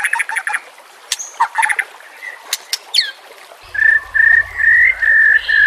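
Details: White-rumped shama training song for captive birds: scattered clicks and brief chirps, then a steady series of level clear whistles repeated about twice a second over low rumbling noise.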